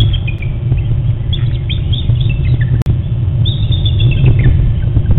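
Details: Bald eagle pair at their nest on Hornby Island at sunrise, 5:45 AM on June 15, 2012. The male flies in and the two exchange early-morning calls: thin, high chittering notes falling in two short bursts over a heavy low rumble.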